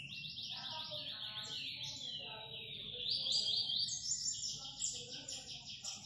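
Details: Green-winged saltator singing: bright whistled phrases, mostly high-pitched, with quick repeated notes and slurred sweeps that run on over six seconds; fainter background chirps and low rumbling noise.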